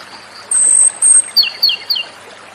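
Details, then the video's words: Japanese robin delivers two sustained piercing whistles followed by three falling two-part ringing phrases; soft ambient hiss throughout. "suara burung JAPANESE ROBIN/KOMADORI"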